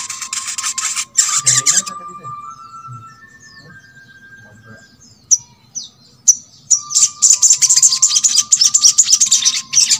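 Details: Sogok ontong, the crimson sunbird, played to coax other birds of its kind into song: a brief high trill, a quiet spell with soft slurred notes, a few sharp chirps, then a long run of rapid piercing notes.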